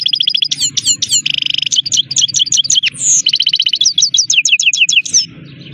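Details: Energetic twittering from a Himalayan goldfinch (saira): fast metallic trills, rolling chirp series and a nasal buzzy note, ending in a quieter tail with a faint background hum.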